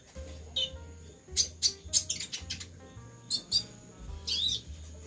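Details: A caged, moulting sunbird that its owner says now sings constantly gives about six sharp, very high chirps and twittering bursts, spaced irregularly over five seconds, over soft background music.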